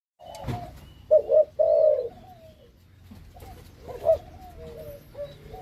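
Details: Malaysian-line spotted doves, a breeding pair of male and female put together, kept captive; a few low, husky coos in short bursts around one to two seconds, then softer coos near four seconds, over a quiet background.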